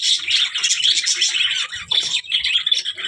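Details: Budgerigar calls: dense, continuous high chirping and warbling with scratchy squawks, many overlapping notes and no clear pauses.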